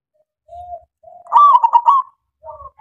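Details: Local zebra dove (perkutut lokal) used as a lure so other doves sing: a soft low coo, then a loud rolling stuttered phrase, followed by lower trailing coos.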